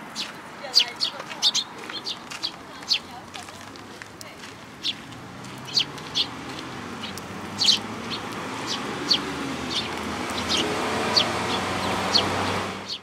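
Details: Sparrows with a newly arrived fledgling at a plum-tree feeder at a Tenmangu shrine, 21 June 2022. Scattered high chirps continue throughout while a broad rumbling noise swells in the second half, and faint voices are heard.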